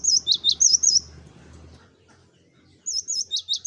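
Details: Energetic cinereous tit song used to attract other birds: rapid high wavy whistles mixed with sharp dropping notes, a pause with faint low rumble, then the repeated phrase resumes.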